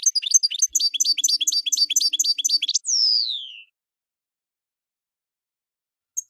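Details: Fast, rhythmic twittering from a European goldfinch, about three seconds of repeated chirps, closing with a long sliding whistle that falls in pitch, then silence and a faint final note.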